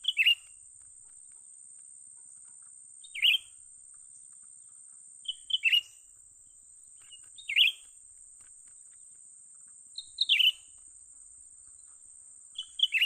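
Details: Young bulbul, known locally as cucak ranting, calling while being lured for trapping: short, bright chirpy bursts, some doubled, repeated about every two and a half seconds over a steady high insect-like hum, otherwise quiet.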